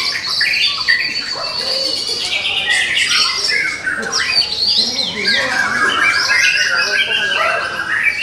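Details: White-rumped shama, a young bird taken from the forest, its song material described as drawn from all of nature: continuous rich warbling of whistles, trills and rapid slurred notes shifting pitch every moment.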